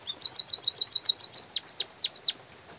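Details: A white-headed munia recorded during light rain gives a rapid string of high, sharp tweets. It then switches to four longer chirps that sweep steeply downward before stopping.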